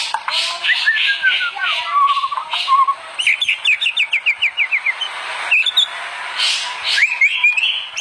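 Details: White-rumped shama in vigorous song, offered as master material for other shamas: descending whistled notes, then a rapid, evenly spaced string of sharp chips, ending with scattered high whistles over hiss.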